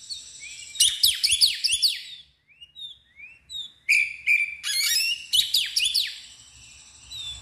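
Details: Loud, agitated ngeplong song of an Oriental magpie-robin spreading its tail: dense, vigorous bursts of piercing, sweeping whistles and chatter, broken by a few short clear whistled notes.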